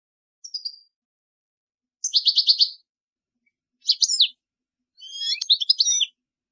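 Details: European goldfinch song meant for teaching young birds: four separate high twittering phrases, one a rapid run of five buzzy trilled notes, others tinkling slurred chirps, divided by short silences against a clean, quiet background.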